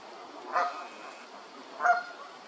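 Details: Canada goose calling with two bright, honking notes a little over a second apart, the second one stronger, over a quiet hissing background.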